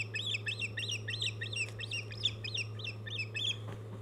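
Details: Osprey pair at a nest on Hog Island on 1 August 2015, the male bringing the female a mackerel for breakfast; a rapid run of about ten sharp, arched, whistled chirps, evenly spaced, over a steady low hum.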